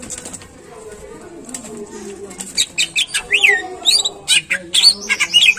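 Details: Greater green leafbird in a cage giving a singing prompt: quiet at first, then a quickening series of sharp whistled chips and slurred notes.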